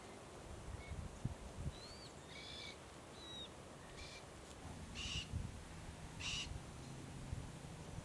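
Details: South-eastern Glossy Black-Cockatoos (Calyptorhynchus lathami lathami) at a favoured foraging zone on the Kings Tableland, Blue Mountains, NSW, Australia, March–October 2022. Several short harmonic calls: thin upslurred notes, then louder rasping bursts about every second, over a low background rumble.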